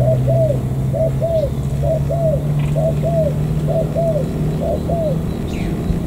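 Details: Spotted dove, a newly wild-caught local bird from the An Giang border gate area in Vietnam, cooing in a steady series of short paired, arched notes, about one pair per second, over a constant low rumbling hum.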